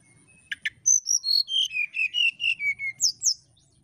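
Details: Flute-like song of a brown-chested jungle flycatcher challenging a rival: two clicks, then about ten crisp whistled notes in quick succession, descending steadily, closed by two high rising slurs.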